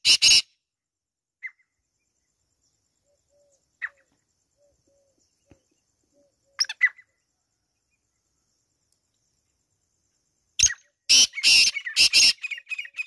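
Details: Black francolin with loud, harsh, grating bursts at the start, a few faint scattered notes in a quiet middle stretch, then a rapid cluster of rasping phrases near the end.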